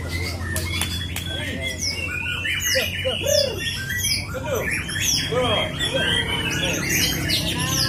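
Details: White-rumped shama (murai hutan) delivering full, steady song with long 'tembakan' runs: varied loud whistles, rising and falling sweeps and arching notes in quick succession, a few clicks early on, and a constant low hum beneath.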